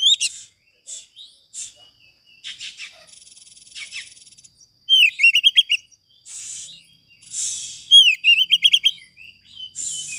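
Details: White-rumped shama master song used for training other birds: bursts of short chips, then loud bright whistled phrases of repeated upslurred notes in quick series, separated by pauses with faint background buzzing.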